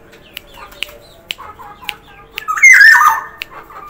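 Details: Black-naped oriole from Sumbawa, vocal and lively, bursts into a loud nasal, wavering squawk with a fluty twist late on, preceded by soft chatter and a run of sharp regular clicks.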